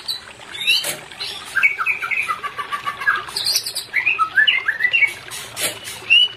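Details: White-rumped shama singing for a pair that is not yet in breeding condition: a busy jumble of varied whistles, chirps and rising slurred notes with scattered sharp clicks and some background noise.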